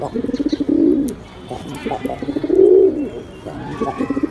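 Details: A pet male pigeon, newly paired with a female, coos in low, throaty, rolling phrases that swell and fade about every two seconds, with soft clucks between and no other clear sounds.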